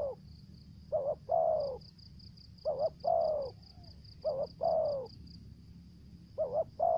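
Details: Lure spotted dove singing the 'thổ dế' voice with 'mai rừng' variations: a run of two-part coos, short quavering note then long descending note, with longer gaps between pairs and a steady pulsing high buzz behind.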